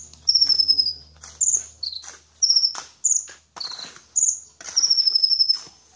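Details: Sunbird, called kolibri ninja, singing very high, thin notes: short trilled runs and sharp descending whistles in separate bursts, some ending in a quick buzzy flourish.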